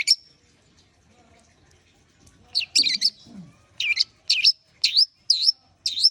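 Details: Long-tailed shrike warming up. After a quiet start with a few soft low sounds, a harsh double rasp leads into six loud, sharp swooping notes at roughly half-second intervals.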